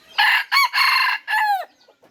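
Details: Crow of a red junglefowl bred to the F3 generation. Four loud, raspy segments run close together, and the final note slides downward and fades.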